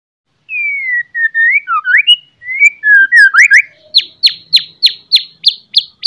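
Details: White-rumped shama morning song, loud and used as a lure to stir other shamas to sing and fight: smooth whistled slurs and rising notes, then a fast series of about nine sharp descending chips, one every third of a second.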